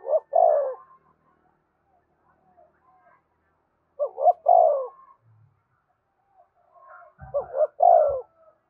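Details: Spotted dove cooing to spur captive birds into calling: three phrases about three to four seconds apart, each quick rising notes then a long descending coo, with a few low knocks near the end.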